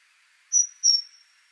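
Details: Great tit (Parus major) giving two high, clear whistled notes of equal pitch about a third of a second apart, against a faint background hiss.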